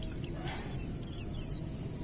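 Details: Oriental white-eye in 'ngalas' wild-type song, played to prompt other white-eyes to sing: a few very high, thin descending slurred whistles and short chirps over faint background noise.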